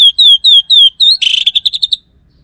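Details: Caged orange-headed thrush in nonstop song: a string of four clear descending whistles, then one rising note, then a fast burst of harsh chattering notes that ends sharply.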